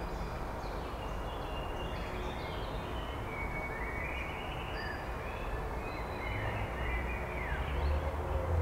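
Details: Blackbird singing on 23 May 2021, with pellet casting also noted: thin, fluty warbled phrases rise and fall at mid-high pitch, faint behind a steady low rumble of wind or background noise throughout.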